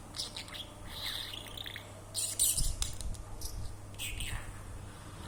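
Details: A talking pet budgerigar chatters in quick, scratchy, high chirps and squeaks over a low background hum.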